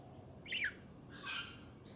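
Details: Budgies chatting: two short, harsh, scratchy squawks about three-quarters of a second apart, the first sharper and rising, the second broader and softer, over a faint low background hum.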